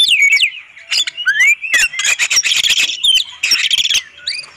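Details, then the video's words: Oriental magpie-robin master recording for songbird training: a few slurred whistles and a rising note, then harsh, noisy squawking bursts and clicks, with quieter gaps between phrases. "Suara ampuh Master burung Kacer suara jernih"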